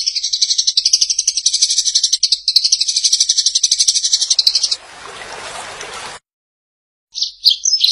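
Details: Eurasian tree sparrow recorded as master audio for training songbirds to imitate: a dense run of high chirps, about four per second, for nearly five seconds, then a burst of broad hissing noise, a short silence, and a few more chirps.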